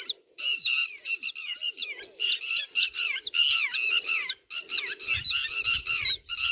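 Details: Northern lapwing, called pewit, giving rapid, high, thin call notes that each rise and then slur down, about two a second, with overlapping calls suggesting more than one bird and soft low chatter beneath.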